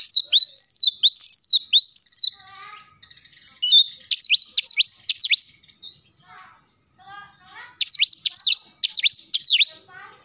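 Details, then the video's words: Oriental magpie-robin in vigorous morning song: three matching arched whistles repeated about every second, then fast volleys of sharp, high sweeping notes with brief pauses between bursts. "KACER GACOR pagi hari nembak"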